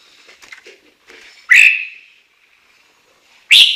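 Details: Chinese hwamei heard in a Japanese neighbourhood: soft chattering notes, then two loud, ringing whistled phrases two seconds apart, each sliding down and trailing off.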